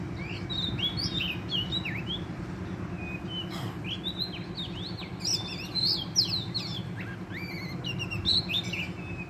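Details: Energetic song of a wild Oriental magpie-robin during trapping: loud, clear whistles and sharp slurred notes in quick bursts, some very high, over a soft low hum.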